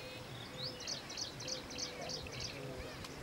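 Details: Lesser florican (Sypheotides indicus), one of three males displaying for territory, gives a run of six sharp, high chirping notes, about three per second, over a steady hiss of background noise.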